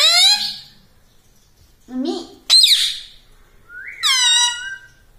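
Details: Pet parrot in a small indoor room talking in Hindi, saying words like 'mummy' and 'papa': three loud, nasal, harmonic squawk-words, the first falling, the middle one short and rising, the last steady and drawn out, separated by silence.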